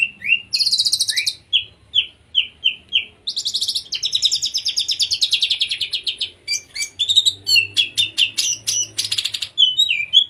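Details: Oriental magpie-robin singing in the konslet style, used to prompt untrained or silent magpie-robins into song: loud, varied phrases of rising whistles, fast buzzy trills and scratchy rattles, with brief pauses between bursts.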